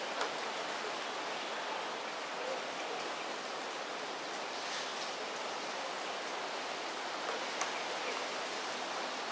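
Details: Steady broadband rushing like falling rain or flowing water fills the whole stretch, with only a few faint ticks and no animal call standing out.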